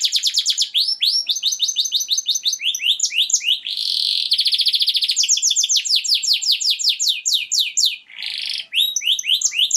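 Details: Canary singing a rapid, continuous high song of repeated rising-falling chirps in quick trills, with buzzy rolling phrases near four and nine seconds; no other sounds.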